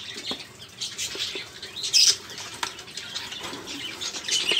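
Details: Budgerigars chattering as a lure for caged birds that have stopped singing: a low, steady scratchy twitter with one sharper squeak near the middle and faint clicks.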